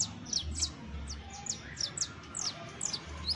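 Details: [['High-pitched saffron finch song of quick, sharp downslurred chips, some doubled or tripled, over faint low background noise.']]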